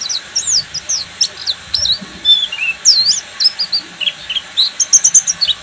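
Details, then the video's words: Buxtomi Oriental white-eye delivering full ngeriwik song, a lively string of high, thin looping chirps and twittery slurs with short gaps, ending in a quick burst of bright rising notes. "PLECI BUXTOMI FULL NGERIWIK"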